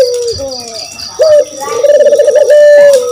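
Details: Spotted dove call meant to draw other birds into answering: a short low coo, then a long, rolling, slightly wavering coo held level before dropping at the end, with a thin high tone and soft beeps behind.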